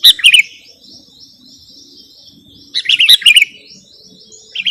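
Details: Sooty-headed bulbul recording for luring and masteran: a short burst of bright chirps, a long quiet stretch, then another chattering phrase near three seconds and the start of a third at the end.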